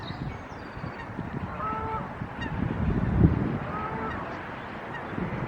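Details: Geese on The Mere at Ellesmere, North Shropshire, on 18 April 2024; a few short nasal honks rise above a steady low rumble of water and wind.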